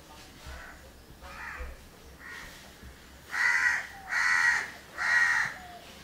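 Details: A grooming pair of house crows in Candolim, Goa, December 2010: a few quieter caws, then three loud, harsh, nasal caws about a second apart, each lasting roughly half a second.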